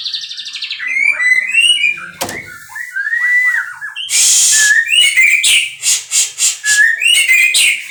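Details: White-rumped shama from captive breeding in full song, rich rising and falling whistles mixed with quick trills, then a harsh buzzy burst followed by rapid pulsed chattering notes.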